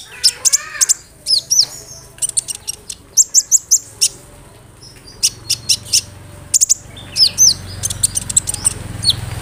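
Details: Kolibri ninja sunbird song meant to set off other sunbirds: lively, high-pitched chirping in clustered bursts, with quick rising and falling whistled notes and short trills separated by brief silences; soft low background rumble.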